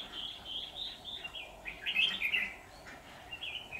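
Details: Red-whiskered bulbul used as a decoy during trapping on 23 September 2019, singing to provoke wild rivals; rich warbled phrases of quick notes, loudest burst midway, then short bright notes, over a steady low background hum.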